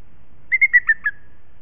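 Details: Booted eagle pair at the nest in Els Ports Natural Park, 21 May 2018 at 14:18, changing over during incubation near hatching: a quick series of five clear whistled notes, level then slightly falling, over faint low rumble.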